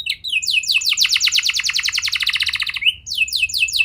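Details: Canary song aimed at making young canaries sing: a series of descending whistles flows into a loud, quick trill, followed by a rising note and more slurred phrases.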